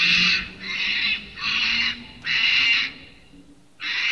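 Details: Sulphur-crested cockatoo at St Lukes Church, Gray, Palmerston, Northern Territory, Australia, calling in repeated raucous screeches about every 0.6 seconds, then a pause and one more screech, over a faint low steady hum.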